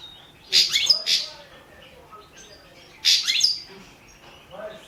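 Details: Goldfinch of subspecies balcanica in a 2017 Serbian-organised internet song championship; two loud clusters of buzzy, twittering notes about two and a half seconds apart, with soft chirps between.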